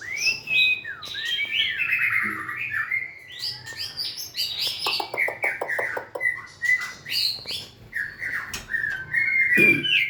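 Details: White-rumped shama, kept as a cage-bird, singing and dancing; long rich song of fluty whistles mixed with fast rattling clicks and chirps, steady and varied throughout.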